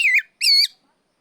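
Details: Kept Oriental magpie-robin giving ngeplong calls toward a rival: a pair of rich, slightly harsh whistled notes, the first sliding down, the second steady and sustained.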